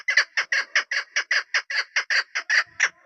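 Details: Female chukar partridge, a local hunting decoy bird, giving a fast run of about fifteen harsh, clucking chuk notes in three seconds, evenly spaced and steady in loudness.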